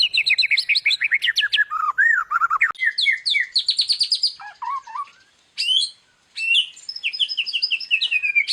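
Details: Loud, energetic song of a white-rumped shama (murai batu), performed in 'gacor' style. Fast runs of chirps and descending whistles, then short pauses. Later it resumes with sharp, high, sweeping notes and rapid repeated trills.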